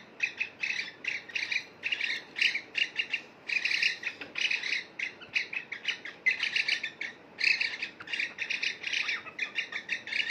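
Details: Two pet cockatiels bathing in a bowl of water, giving rapid, continuous harsh chirps and squawky notes in dense bursts throughout, with short gaps between runs of calls.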